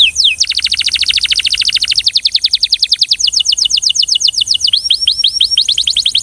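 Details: Belgian canary pouring out a long, rapid trill of sharply descending notes that gradually slows, followed by several looping upslurred whistles and more quick descending notes.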